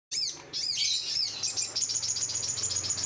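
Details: Sooty-headed bulbul, a kept songbird, singing in an over-emotional, excited way: a dense, unbroken run of high, sharp chirps and quick twittering notes that grows steadier and more pulsed toward the end, with no other clear sounds.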